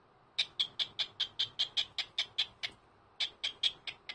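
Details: Senior pet cockatiel on a Sunday morning, greeting its owner: a fast run of short, sharp, high chirps about five per second, a brief pause, then the clipped chirping resumes.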